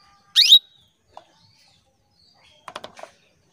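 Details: A female canary calls to male canaries as a singing lure: one strong rising chirp with a high trailing note, followed later by a short burst of softer, clipped chirping notes.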